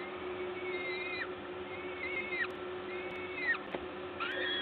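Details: Peregrine falcons at the Gdańsk LOTOS nest in Poland, 14 May 2022, 11:07, while being fed: three drawn-out, slightly wavering calls that each drop sharply at the end, spaced about a second apart, then a rising squeal, over a low hum.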